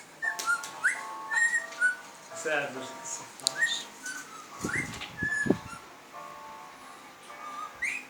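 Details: Cockatiels having fun with an electric fan: many short whistled notes, some sliding upward, mixed with sharp chirps and a few dull knocks in a busy indoor setting.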